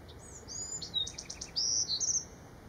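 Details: Wild Bewick's wren singing at Manresa State Beach, Santa Cruz County, California, recorded September 5, 2017: high thin whistled notes, a quick series of four buzzy pulses, then clear sliding whistles at the end, over soft background hiss.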